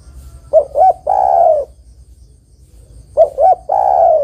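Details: Female spotted dove calling the male. Two phrases sound about two and a half seconds apart, each with two short hollow coos and then a long, husky coo.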